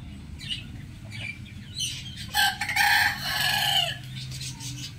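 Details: Morning rooster crow, with small birds chirping in the background before a loud, raspy cock-a-doodle-doo lasting about one and a half seconds, its second half held and steady.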